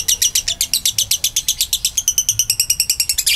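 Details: Long ngekek trill of a lovebird, used as a lure to prompt other lovebirds to sing: a steady, unbroken run of sharp, high chirping notes, slightly quicker and denser toward the end.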